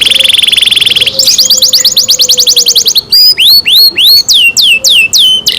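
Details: Canary kept by its owners delivers a loud rolling trill that speeds into rising sweeps, then breaks into slower, strongly accented whistles dropping sharply in pitch, each separated by short gaps, over a faint low background hum.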